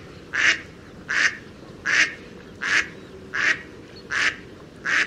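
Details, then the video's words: A Mallard gives seven harsh, nasal quacks, evenly spaced about every three-quarters of a second, over a steady low background rumble. "How a Mallard Duck Sound?"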